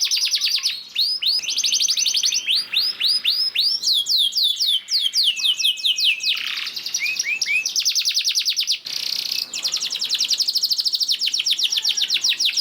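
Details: Lure song of a canary aimed at getting other canaries to sing: continuous chattering trills, buzzy rolls and sweeping repeated notes, dense and energetic with hardly a pause.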